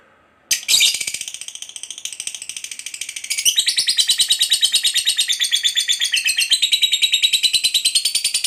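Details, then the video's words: Lovebird giving the long 'ngekek' chatter used to lure others: a harsh burst opens into a fast, relentless stream of high shrill pulses that builds louder and denser after three seconds and keeps going to the end. "Suara Burung Lovebird Ngekek Panjang Memanggil"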